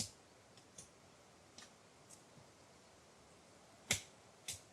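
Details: Black woodpecker (Dryocopus martius) pecking: sharp, dry knocks spaced unevenly, about six in five seconds, loudest near the end, over a faint hiss; very different from the species' standard call.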